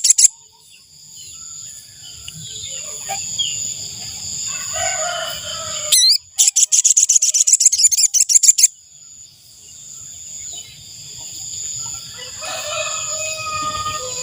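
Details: Ashy tailorbird call used to lure wild birds: a rapid two-second series of high, sharp repeated notes in the middle. Steady high insect-like droning, scattered chirps and low rumbling noise surround it.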